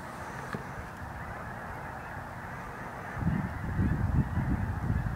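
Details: Flock of several goose species, including Canada geese and snow geese, circling over a corn field: a dense chorus of overlapping honks and chatter that swells sharply louder after about three seconds, with steady background rumble.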